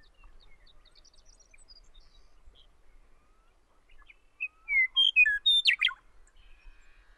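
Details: A Western Meadowlark singing on territory in Wyoming gives one loud, flute-like phrase of clear whistles that ends in a quick, bubbling jumble. Faint distant bird notes come before it.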